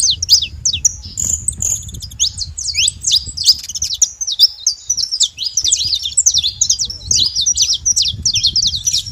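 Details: A flock of wild saffron finches twitters nonstop: clusters of high, sharp chirps and swooping notes, sometimes briefly thinning, then crowding again, with a steady low rumble underneath.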